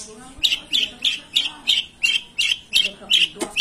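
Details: Long-tailed shrike in lively song full of imitated songs of other birds: a steady run of bright, sharp chirps repeated about three times a second, each note a quick high burst, with a faint low hum beneath.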